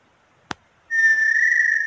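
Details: Inhambu sururina (inhambu pé roxo), Brazil: a sharp click, then after a short pause a long, loud, clear whistled note that is still sounding at the end.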